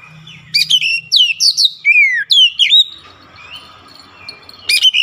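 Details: Kacer, the oriental magpie-robin, in persistent song: a fast string of sharp, sweeping whistles and slurred notes, then a quieter gap and one more bright phrase at the end.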